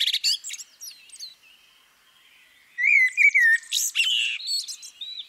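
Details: Common blackbird, a female. Opens with sharp squeaky chips and a quiet held whistle, pauses, then gives a mellow fluted phrase that drops in pitch, followed by high scratchy twittering.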